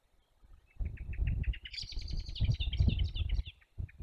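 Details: Peregrine falcon in Dolina Baryczy, Poland, on 4 May 2021, with a bat as prey, giving a rapid series of harsh, clipped notes that climb into a shrill chatter.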